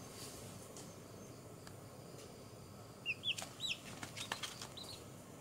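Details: One-day-old baby chicks outdoors on green ground, settling toward sleep: after three seconds of soft hiss, a quick burst of about six short, high, arching peeps, each rising then falling, spaced irregularly.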